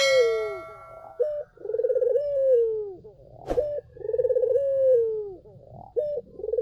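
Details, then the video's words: Lure song of a vocal Barbary dove meant to make other doves reply: a brief ringing tone opens, then clipped notes alternate with long purring coos that roll and then glide smoothly downward, about every two and a half seconds. "SUARA BURUNG PUTER GACOR! 100% pancingan ampuh,puter kamu pasti katut"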